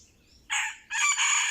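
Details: Red junglefowl lured with a decoy gives a short, close crow. It is loud and coarse, in two harsh bursts, and is cut off before its ending.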